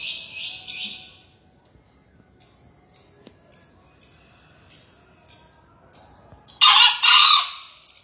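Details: {'caption': 'A green junglefowl at a 2020 crowing contest gives a harsh, broadband double crow near the end, after an evenly spaced string of brief high notes.'}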